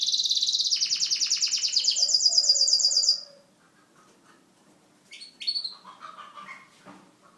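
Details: Caged Syrian canary singing a loud rapid trill of repeated high notes for about three seconds, followed by a pause and softer scattered chirps and short warbled phrases.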